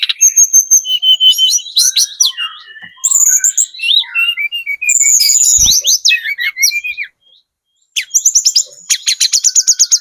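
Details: Spotted Sunda robin lure song meant to make any bird answer: mixed whistles, buzzy phrases and rapid twitters, a one-second silence, then a closing run of quick repeated chirps.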